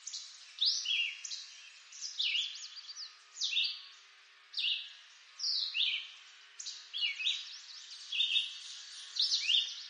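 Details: In eastern North American woods, a red-eyed vireo repeats short choppy whistled phrases, some dropping, some rising, about one per second, with a thin high hiss beneath and a few faint ticking notes.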